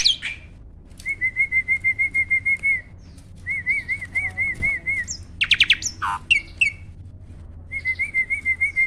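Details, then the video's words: Starling vocal training recording for birds that rarely sing: long series of evenly repeated rolling whistles, broken midway by loud harsh chatters, squeaks and a descending screech, then the whistle series resumes. "SOLUSI UNTUK BURUNG JALAK MALAS BUNYI!!"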